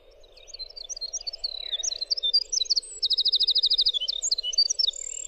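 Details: Winter wren singing: a long, high cascade of sharp, bright notes that builds into a rapid machine-gun trill of identical notes, then more varied twittering, with a constant low hum beneath.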